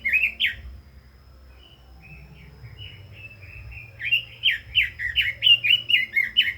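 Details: Red-billed leiothrix giving a short pair of loud whistles, a quieter stretch of soft notes, then an animated burst of about twelve quick, slurred warbling notes in 'kích giọng' song style.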